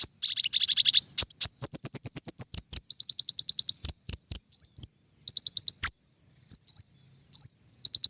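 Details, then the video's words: King konin song used as a lure sound for trapping birds: rapid high, thin chirp bursts, then trains of sharp ticking notes and short whistled upslurs, delivered in quick repeated runs with brief pauses. "PIKAT KING KONIN SUARA PANCINGAN"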